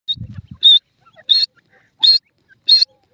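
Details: Grey francolin (irani teetar) calling: loud, harsh, buzzy notes repeated about every 0.7 seconds, four in a row, after a brief low rumble at the start.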